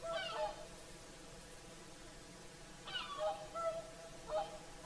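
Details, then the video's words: At sunset on Lake Saimaa in Finland, whooper swans give their evening song: short clusters of nasal, trumpeting notes with bright overtones, separated by a few seconds of calm. "Swans singing at sunset"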